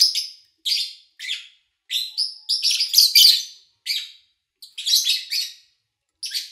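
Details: Captive lovebirds recorded in early August 2019 over three days, morning to evening, while the owner was away: repeated sharp, high buzzy chirps in bursts, some clustered into rapid chattering runs, with short silences between and no other noise.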